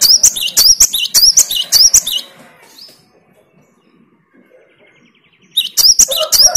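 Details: Great tit, normally a lazy singer, replying to another great tit's song with a fast, ringing series of two-note phrases, a pause of several seconds, then a fresh run of the same high notes.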